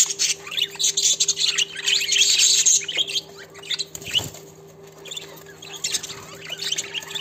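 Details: Mating budgerigars chatter in a fast, scratchy warble of high chirps and squawks.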